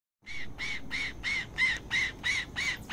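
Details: Male blue-bellied roller (Coracias cyanogaster) feeding his chicks gives a steady run of harsh, raspy squawks, about three each second, over a low background rumble.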